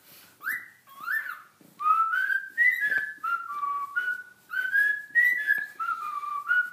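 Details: Male pet cockatiel whistles the Addams Family tune in clear, sliding phrases, singing along with its owner.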